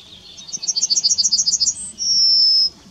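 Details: A yellowhammer at Kotthausen, Wuppertal-Beyenburg, Germany, on 23 July 2021 sings a quick run of about a dozen high, thin notes, ending in a brief higher note and a long drawn-out wheeze.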